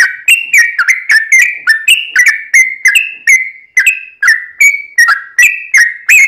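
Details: Lure song of a yellow-vented bulbul, meant to set other birds singing in reply: a long run of liquid whistled phrases, each starting with a click and sliding slightly down, delivered nearly three times a second without a break.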